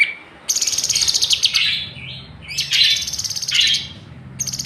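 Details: Song of a Kinoi bird: sustained harsh, buzzy trilled phrases broken by brief falling whistles, with low background hum.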